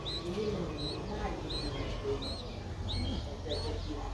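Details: Streak-eared Bulbul nestling aged nine days, Ubon Ratchathani, Thailand, April 2023: quieter short rising-falling chirps spaced irregularly over a fairly noisy low background.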